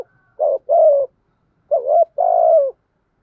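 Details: Caged spotted dove used as a decoy bird, cooing in the trained 'bài lối' style: two pairs of low, mellow coos, each pair a short note followed by a longer, slightly falling one, in a quiet setting.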